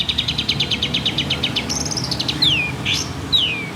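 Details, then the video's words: Local long-tailed shrike from Banyuwangi, a kept songbird, singing loudly: a fast run of about fifteen repeated sharp chips, then a high rasping note and two clear falling whistled slurs. "BURUNG CENDET LOKAL BANYUWANGI"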